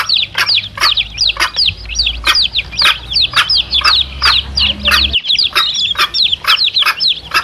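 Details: Chicks and their mother hen, played to lure wild junglefowl. Rapid high falling peeps continue throughout, with a steady pulse of clucks and a low hum in the first five seconds.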